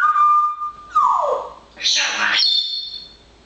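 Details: Parrot busily chattering in fine weather, producing a steady whistled tone, a falling whistled slide, then a loud harsh screech that settles into a high sustained whistle.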